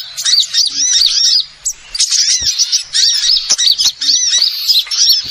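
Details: Trapping lure of small birds: bright, high chirping chatter in groups of looping arched notes, several birds together, with brief breaks between bursts.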